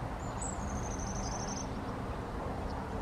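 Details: One thin, very high trilled phrase from a long-tailed tit, drawn out for over a second and slightly falling, followed by a faint short note, against low, constant background rumble.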